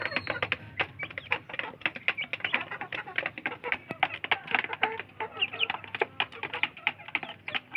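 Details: Village chicks competing for food produce near-continuous rapid pecking clicks with a few short chirps scattered through, over a faint low hum.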